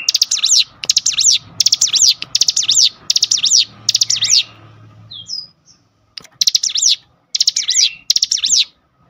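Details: Provoking lure of a cinereous tit: a steady series of about seven short phrases of clicks and high looping whistles, a pause with a couple of thin notes, then three more phrases.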